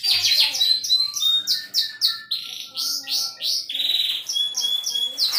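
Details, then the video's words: Canary singing a lively, melodious song in the gacor cengkok style: rapid runs of high sweeping notes and downslurred chirps, short trills and a sustained buzzy note, continuous and varied throughout. "kenari gacor cengkok merdu"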